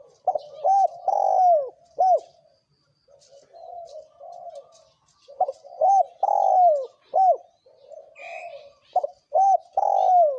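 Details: Male and female spotted doves giving a thổ kim style coo, a recording used to provoke wild doves: loud, low, bowed cooing notes in quick clustered bursts with a short gap, with faint high chirps from other birds.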